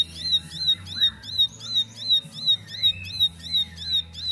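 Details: Bar-winged prinia, formerly silent, now answering another bird straight away in rapid-fire 'nembak' style: sharp, down-slurred high chirps repeated about three times a second in a steady, even rhythm over a faint low hum.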